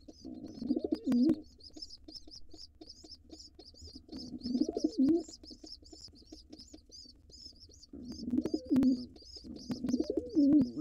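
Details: Intruder male pigeon, wild, trying to take over a nest box by attacking the nestlings while the parents are gone: three low, throaty coo phrases about four seconds apart, with a continuous high chirping behind.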